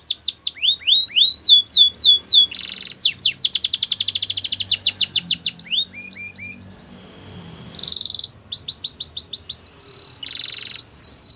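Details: Canary in training song, rapid falling whistles leading into a long loud trill, a short lull with soft background noise, then renewed sweeping notes and rattled bursts.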